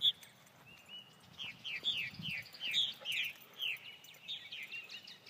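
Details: Purple martins, county bird of Elbert County, Georgia: a run of quick downslurred chirps, about eight in a row, with higher squeaky notes scattered between them over a quiet background.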